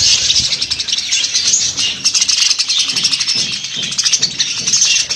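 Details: Budgerigar flock giving continuous fast high chirping and warbling, loud and steady, with quick pulsing bursts throughout.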